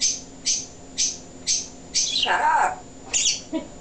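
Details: Pet male African grey parrot during an indoor talking session, giving a string of bright, high chirped whistles about every half second, then a lower, wavering speech-like phrase and a final squeak.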